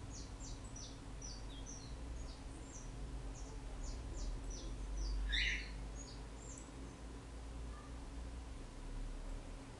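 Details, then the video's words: Saffron finch from Brazil, described as a champion singer: a quick, steady run of short high chips, about four per second, with one louder downward-swept note midway, set against soft background noise. "canario da terra"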